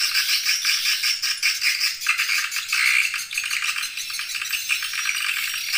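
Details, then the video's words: Edible-nest swiftlet lure call, used to attract a colony to roost: a dense, continuous, high rattling chatter of overlapping buzzy twitters with no pauses, like a crowd of birds calling at once. "Suara Walet Terbaik"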